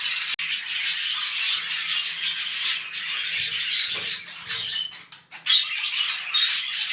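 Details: Pet budgies mating, first step toward a new clutch, produce an unbroken gritty warble of rapid clicks, buzzes and squeaky chirps, dipping briefly near the end before resuming.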